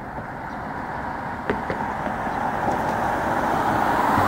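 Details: Continuous road traffic hum rising slightly in loudness, with a few faint knocks and no clear animal calls.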